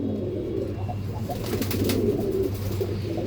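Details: Andhra pigeons offered for sale, cooing in low, soft, rolling murmurs that run on without a clear break over a steady background hum.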